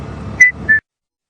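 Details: Red-chested Cuckoo calling in the distance during an afternoon safari drive at Djuma Game Reserve on 30 October 2015, giving two clear whistled notes, the second slightly lower, over a low rumble of vehicle engine.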